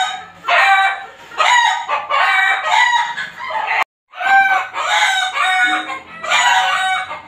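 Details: Backyard chickens next door, calling day and night: repeated strident rooster crows, about six rough rising-then-falling phrases, with a brief silent break midway.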